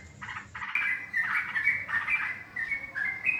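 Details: Trapping lure call of a yellow-vented bulbul: a cheerful series of short, gurgling, slurred phrases delivered back to back over a few seconds, bright and clear against a quiet background.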